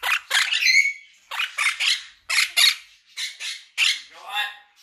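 Monk parakeet giving harsh, grating squawks in quick clusters of two or three, repeated about every second; no other sounds stand out.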